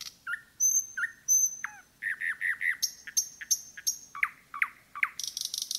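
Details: Forest-dwelling common nightingale alternating thin high whistles with rich repeated slurred notes, closing on a brief buzzy trill.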